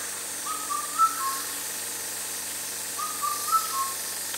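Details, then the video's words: Rare Indian cuckoo, a summer indicator, sings two loud four-note whistled phrases about two and a half seconds apart. The third note is highest and the last falls. A continuous hiss runs underneath. "Rare Indian Cuckoo calling | Indicator of Summer | Beautiful and loud singer"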